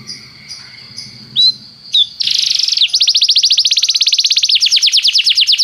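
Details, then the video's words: Canary song played as a tutor for training: a few sparse high whistles and short slurs, then a buzzy burst and a long, fast, rolling trill of rapidly repeated notes. "professor para o seu canto canário em breve - o melhor treinamento canário"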